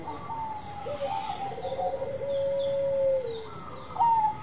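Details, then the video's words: Actively singing Bangkok zebra dove giving layered coos: a long flat mellow note that dips at its end, then a brighter rising phrase near the close. "PERKUTUT BANGKOK GACOR"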